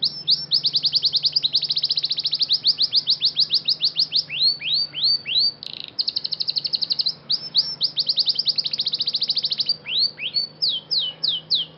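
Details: A Belgian canary, called a Scotch Fancy, in song training sings a long, fast trilling song of rapid chirps and rolling phrases, with bursts of sweeping notes over a faint low hum.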